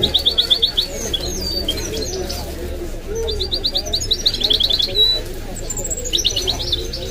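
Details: Kept goldfinch × canary mule, said to mimic nightingale and other birds, singing bursts of rapid high trilled notes separated by short pauses and sliding whistles, over a low steady hum.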